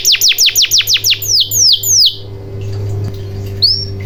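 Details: Canary lure song for getting silent canaries to sing: a fast run of downward-sweeping whistles slowing into three longer swoops, then quiet with one final rising whistle and low background hum.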